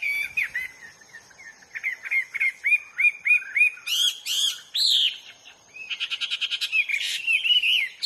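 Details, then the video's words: In the wild, a Hwamei sings a series of repeated upswept whistled notes, then loud rich slurred phrases and a rapid rattling trill, ending in varied warbling. "burung HWAMEY GACOR DI ALAM LIAR"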